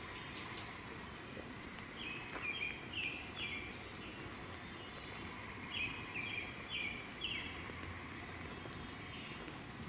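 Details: An American Robin, one of several on a woodland trail, sings two bursts of three or four short, clear caroling notes, over steady wind and distant traffic rumble.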